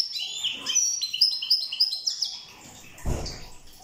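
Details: Corsican European goldfinch singing a quick series of bright, high chirps and twittered notes repeated about three times a second, ending with a dull knock.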